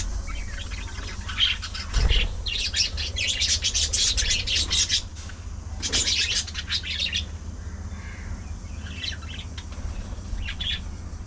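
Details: Budgerigars at afternoon feeding time: dense, overlapping high chirping and scratchy chatter, busiest from about one and a half to seven seconds, then thinning to scattered short chirps, over a steady low hum.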